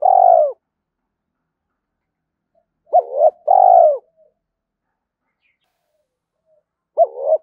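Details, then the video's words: Spotted dove in the morning, calling to provoke a rival: a long, buzzy, downslurred coo, then a two-part short coo and another long falling note. A fresh phrase begins at the end. "Tiếng chim cu gáy thúc đấu với bổi buổi sáng"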